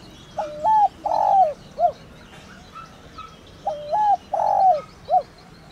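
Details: Spotted dove (cu gáy) in thổ đồng calling meant to rouse decoys: two complete phrases, each a double hoot, a long falling coo and a clipped final note, roughly three seconds apart.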